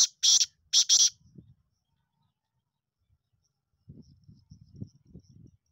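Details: Black francolin (kala titar), from a video offering young birds from Sindh, Pakistan, for sale: three harsh, raspy bursts in quick succession, followed by low human voices.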